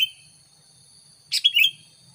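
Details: Sooty-headed bulbul lure call for wild bulbuls: one sharp, quick three-note phrase falling in pitch after a quiet pause, steady high tones in the background.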